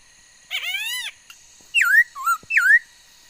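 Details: Female laughingthrush singing, 13 August 2021, a bird able to voice many kinds of sounds: one harsh buzzy drawn note followed by three loud whistled slurs, rising and falling.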